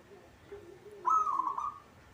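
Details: Caged local zebra dove singing vigorously: one quick rolling coo, level and trilled, preceded by a faint lower tone.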